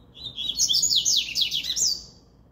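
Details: One of three Double-collared Seedeaters in a regional singing contest sings a fast, bright phrase of sliding, chattering high notes lasting about a second and a half, over faint background hiss.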